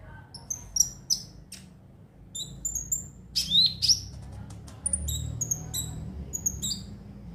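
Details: Konin song for stimulating birds to sing every day: scattered thin, high twitters and quick slurred notes, one louder sweeping phrase midway, steady low hum underneath.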